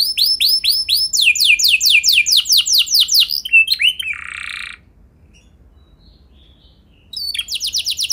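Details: Canary lure song for getting other canaries to sing long rolls: a run of repeated down-slurred whistled notes, about four per second, then a harsh buzzy note, a silent gap, and the slurred notes returning.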